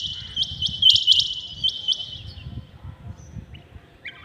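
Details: Rain quail heard early in the morning: a few quick high metallic notes in the first two seconds, then a fading tone and near quiet with low background noise.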